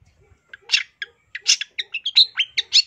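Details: Long-tailed shrike in a training-master recording, delivering a quick sequence of short chirps and rising whistled notes that quickens and grows louder toward the end.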